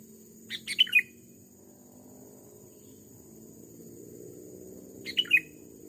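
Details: Aggressive wild male Sooty-headed Bulbul in an overgrown rubber plantation, drawn in by a decoy bird: two quick bubbly phrases of three or four dropping, liquid notes, about four seconds apart, with a constant high insect whine beneath.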